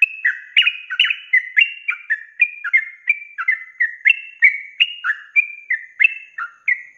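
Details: Rapid 'ropel' song of a sooty-headed bulbul (trucuk), used as a training recording for cage birds: continuous run of short, liquid, slurred whistles, about three notes a second, alternating higher and lower pitches.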